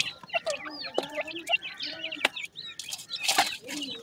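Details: Several grey francolin chicks (teetar) peep in quick, thin, rising and falling chirps, with a few deeper clucks. A brief burst of rustling noise is heard partway through.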